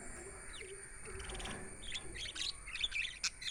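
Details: Budgerigars giving soft, scratchy chirps that grow busier and louder toward the end, a mix of short high twitters and sharper clicks over faint background hum.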